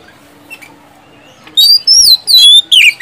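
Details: Oriental magpie-robin singing a lure song for stuck, quiet kacer. A faint, nearly silent start gives way after one and a half seconds to loud, high whistled phrases and sharp swooping notes in quick bursts.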